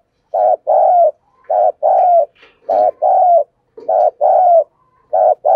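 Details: Spotted dove used as a lure bird, giving urging coos and calling coos to draw wild doves: low, hollow, mellow coos in paired phrases, a short note then a longer one, repeated about every second, in quiet surroundings.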